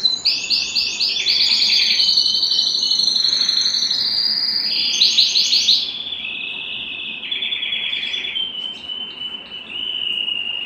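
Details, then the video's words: Excited canary singing and wanting to mate, in rolling trilled tours: fast high repeated notes about four per second, shifting pitch from phrase to phrase, with a lower sustained whistled stretch in the middle. "تغريد كناري هائج"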